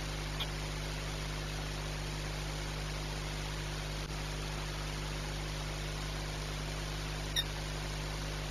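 Steady low electrical hum under even broadband hiss, with only two tiny clicks and no animal voice.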